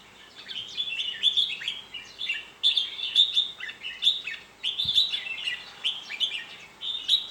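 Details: Red-whiskered bulbul giving a lively string of quick whistled phrases with sharp upslurred notes, repeated about every second. Faint background hiss.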